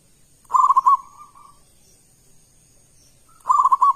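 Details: Local zebra dove giving its loud, deep song as a lure for other doves: two clipped phrases of rapid rounded coo notes, the first followed by a softer drawn-out coo, about three seconds apart.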